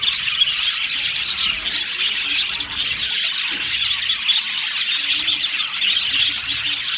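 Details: Budgerigars, a happy flock in an aviary, chirping together as a constant busy chatter of sharp high tweets, with a faint low hum underneath.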